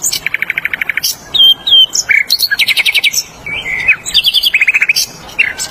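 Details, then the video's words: Flycatcher singing in the wild: a rapid, varied, high-pitched song of buzzy trills, stuttered note runs, short pure whistles and sharp chips, changing phrase every second or so, with no other clear sounds. "KICAUAN SIKATAN LONDO DI ALAM BEBAS"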